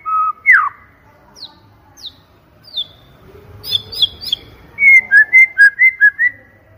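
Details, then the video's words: White-rumped shama lure song: a sharp whistled upsweep, three thin descending notes spaced apart, a buzzy chattering burst, then a fast series of even whistled notes. "PANCINGAN MURAI BATU PALING GACOR DAN AMPUH SUARA JERNIH VOLUME KENCANG"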